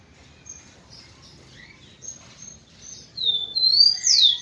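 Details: Rufous-collared sparrow giving clear, high, slurred whistles that rise and fall, loudest in the final second, after a few faint thin notes.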